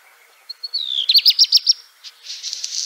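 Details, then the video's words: High, piping whistles descend into a quick string of about seven sharp, ringing notes from a black redstart (Phoenicurus ochruros), trailing off in a faint crackling, rasping buzz. "Black Redstart Bird Call"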